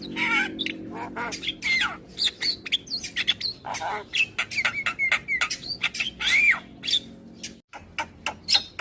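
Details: Morning song of a Javan pied starling that sets neighbouring starlings answering: dense run of harsh chatters, rasping notes and clear rising and falling whistles, with a low steady hum underneath.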